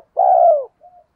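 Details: Spotted dove calling to lure other birds, 2023: one long, low, slightly falling coo with a throbbing texture, then a short soft trailing note after a pause. No other sounds.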